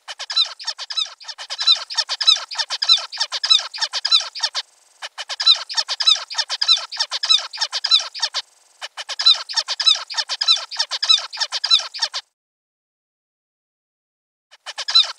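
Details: Zebra finch (Poephila guttata) gives rapid runs of nasal, toy-trumpet-like beeps in bursts of a few seconds.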